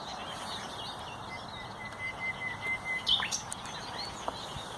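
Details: Common nightingale on 30 April 2021 delivering a long, pure, level whistle followed by a few louder swelling notes and a sharp downward flick, with soft chirping of other birds behind.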